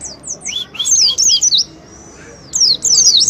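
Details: Oriental white-eye ngalas song used as a lure: quick high chirps plus a few lower whistled notes, a long drawn thin whistle with a quiet gap, then a renewed burst of fast twittering.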